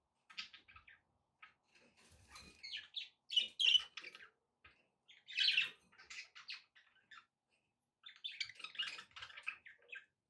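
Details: Pet budgerigars twitter and chatter in uneven clusters of scratchy, buzzy notes and sharp chirps, with quiet pauses between bouts.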